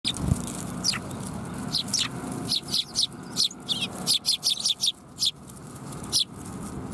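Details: Sparrows coming to be fed at a Tenmangu shrine on 7 January 2021; after a quieter start, short high chirps come in a quick run of sharp notes through the middle and late seconds, over low steady background rumble.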